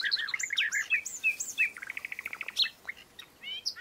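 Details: European bee-eaters: liquid rolling calls, then a fast run of about a dozen evenly spaced trilled notes, followed by a few scattered calls from other birds of the group.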